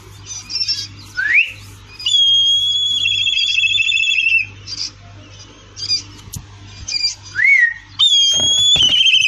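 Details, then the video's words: A black kite gives a high, quavering whistled whinny: an upslurred note, then a long wavering whistle, repeated twice with short gaps. "SUARA ELANG ! CIRI KAS SUARA ELANG PARIA - BLACK KITE"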